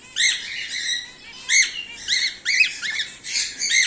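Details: Cockatiels bred at home, whiteface emerald, emerald and exhibition grey male, making clear ringing calls: rounded, arched, harmonic notes repeated several times in under four seconds, some overlapping, against a quiet background.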